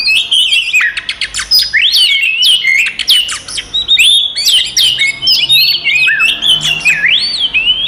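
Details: Oriental magpie-robin fighting song for provoking other magpie-robins: sharp staccato chips at first, then flowing whistled phrases with upward and downward sweeps, repeated in lively bursts.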